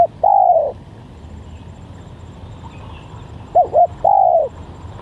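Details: Lure call of a spotted dove, also used for song training: a long drawn-out coo, a pause, then a pair of quick arched notes and another long, gently descending coo, with low background hum.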